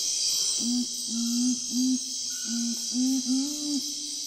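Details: Nocturnal curassow (urumutum): a series of six short, deep hummed hoots, each about a third of a second long, spaced roughly half a second apart, over a steady, loud, high-pitched insect chorus.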